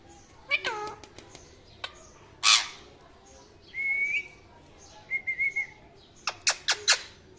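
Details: A parrot mixes short descending chirps and a loud harsh squawk with two level whistled notes. The whistles are followed by a quick run of sharp clicking chirps.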